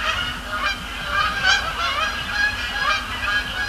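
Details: Many Canada geese calling at night over Sapsucker Woods Pond during fly-overs and landings: overlapping honking, rising and falling notes blend into a steady, clamorous chorus.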